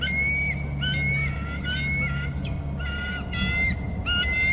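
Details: Eagle at a nest on Hornby Island, screeching while eating. Repeated clear, whistled, slightly rising notes, several in quick series, over a steady low hum and hiss.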